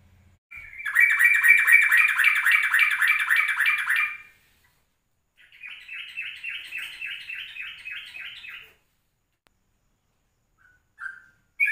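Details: Ropelan-style yellow-vented bulbul recording made at 04:30 in the morning as a lure for other birds. A fast, even, buzzy trill runs about four seconds, then a quieter second trill follows after a pause, with brief notes at the end.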